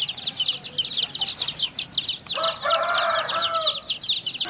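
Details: Colour-dyed chicks feeding among hens, giving steady shrill downward peeps in a thick chorus; a lower, longer call from an older bird sounds over them halfway through.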